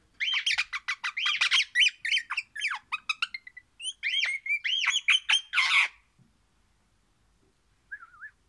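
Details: An orange Pennant's (crimson) rosella sings happily: a rapid run of squeaky, warbling notes, many arching up and down, stopping after about six seconds, with one soft call near the end.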